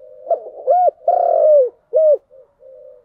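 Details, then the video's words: Single mellow coo phrase of a spotted dove, 'giọng đồng' voice: a short hooked note, a long level coo falling away, a brief closing coo, then faint trailing murmurs. "Cu gáy giọng đồng"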